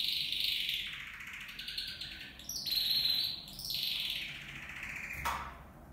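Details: Copper mosaic canary, one of two males and two females kept in a flight cage, singing long rolling trills that sweep down and rise again, with a brighter high burst midway and a short click near the end.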